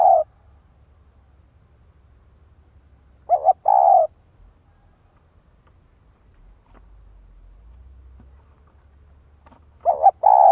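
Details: Decoy spotted dove calling to stir up wild birds: three brief, mellow cooing phrases, each a clipped note run into a longer hoarse coo, separated by long pauses of several seconds, faint low rumble in the background.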